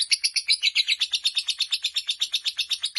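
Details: Lovebird of fighter type holding its long ngekek chatter, a rapid run of shrill, buzzy pulses at about four per second, steady and unbroken throughout.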